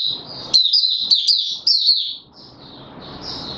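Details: Male white-eye in a cage, being worked into form on 31 December 2021, gives high run-on twittering with sharp accented notes, then softer trailing warbles over a low background hiss.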